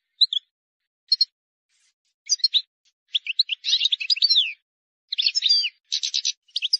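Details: Wild European goldfinch starting with scattered single chirps that build into a fast, tinkling jumble of twitters and buzzy trills; a flawless song for chicks to learn from.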